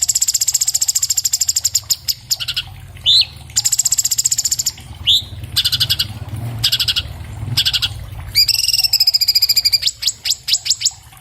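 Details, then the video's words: Dense orange-bellied leafbird song for mastering caged birds, taken on an iPhone 7 Plus: repeated high rapid trills, two rising whistled slurs, staccato chatter and a buzzy rattle toward the end. "MASTERAN BURUNG CUCAK CUNGKOK SPEED RAPAT SUARA JERNIH"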